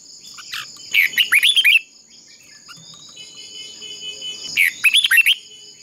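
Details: Red-whiskered bulbul decoy in contest-style singing for training birds: two short bursts of rapid, bright, falling warbles separated by a long gap filled with steady insect drone.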